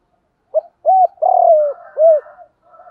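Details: Spotted dove call played to stir training males: a single four-part coo, with a brief note, a rounded hoot, a drawn-out rough descending coo and a closing rounded hoot, then soft higher chatter in the background.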